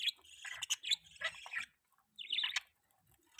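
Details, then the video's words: Budgies chirping in a mating context: a rapid run of scratchy, nasal warbled notes for about a second and a half, a silence, then a short rising chatter and a final sharp chirp. "budgie chirping sound|budgie mating sounds"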